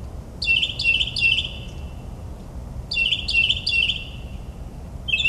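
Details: Northern mockingbird performing a midnight song in suburban New Jersey, copying other birds: fast clusters of three buzzy chirped notes, two bursts repeated, then the start of another, with a low background rumble.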